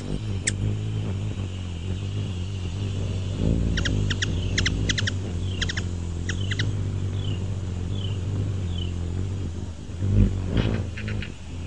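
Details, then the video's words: Ruby-throated hummingbird, Archilochus colubris, with a burst of rapid, high, clicking chips midway, several in tight pairs, then a few softer sliding notes, all over a steady low rumbling hum. "Ruby throated hummingbird | call / song, wing sounds"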